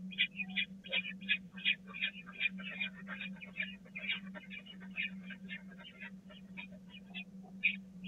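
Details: Nestling peregrine falcons at the Catharinakerk, April 2019, jostling for food: a continuous stream of scratchy, rasping notes in quick uneven succession, with a steady low hum throughout.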